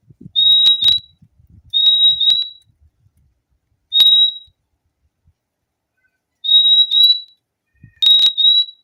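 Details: Fim-fim repeating sharp, high whistles, often in doubled 'fim-fim' pairs, spaced a few seconds apart. Faint clicks and low thumps sound in the background.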